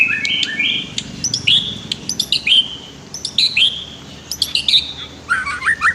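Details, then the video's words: White-rumped shama singing a master song for training other birds, with river sounds: separate bright whistled phrases about a second apart, each opening with sharp clicks and then sliding down, ending in quick trilled notes. "MASTER KICAU MURAI BATU"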